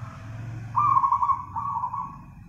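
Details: Nganyer-style song of a zebra dove: one long, vibrating trilled coo that breaks briefly and continues, over a faint low hum.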